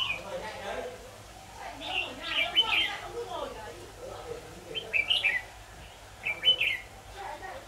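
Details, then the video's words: Red-whiskered bulbul phrases heard while trapping bulbuls with a decoy bird, 23 October 2019: bursts of quick, bright warbled notes every couple of seconds, with people talking in the background. "Bẫy chào mào"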